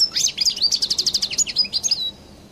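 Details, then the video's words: Distinctive Collo-style song of a European goldfinch from Algeria: rapid high twitters running into an even series of about ten quick repeated notes, ending in a thin drawn-out whistle. "تغريد حسون القل المميز"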